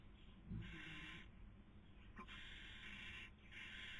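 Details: Barn owls at a nest in Cabañeros National Park, Spain, 2020 breeding season, filmed by webcam while the female feeds and the male tries to sleep; two long, drawn-out rasping hisses, split by a brief pause.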